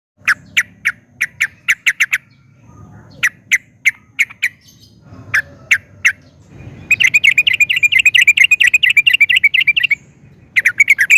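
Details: Sooty-headed bulbul singing actively, used as a lure to set other bulbuls singing: separate sharp chirps in short series, then a long, fast rattling run of bubbly notes, with gentle background rustle between phrases.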